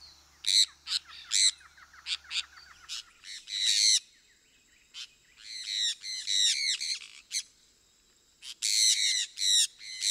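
A sun parakeet gives harsh, grating screeches in short, repeated bursts.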